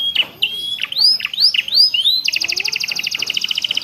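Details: Canary song used to train caged birds, mixed with ciblek and prenjak phrases: sharp notes and rising upslurred whistles, then a long rapid rattle-like trill pulsing steadily.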